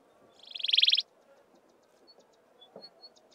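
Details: Wailing cisticola of the browner maculatus subspecies calling at Mountain Zebra National Park: one high buzzy trill swelling in loudness over half a second, followed by faint thin ticks.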